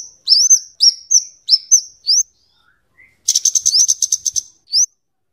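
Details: Scarlet-headed flowerpecker (kemade, cabe jawa) singing for luring and tutoring birds: very high, thin upslurred notes repeated in quick pairs, then a rapid dense burst of sharp ticking chips and a final rising note.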